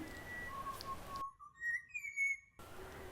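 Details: Pied butcherbird (Cracticus nigrogularis), one of a group of eight living in an Australian garden, singing clear, flute-like whistled notes that slide and step upward in a short melodic phrase, over soft background hiss.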